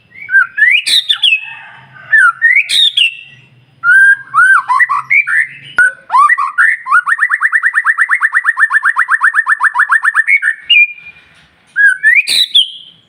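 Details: White-rumped shama morning song for provoking other birds: varied whistled phrases with harsh accents, then a long fast trill of about thirty even repeated notes over roughly four seconds, ending in another whistled phrase.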